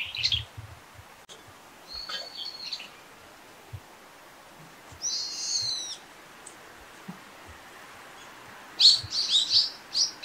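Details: A frequently calling brown-eared bulbul gives shrill, high squealing notes: a thin call near two seconds, a longer harsh, rasping burst around five seconds, then a rapid cluster of loud strident squeaks at the end, against a quiet background.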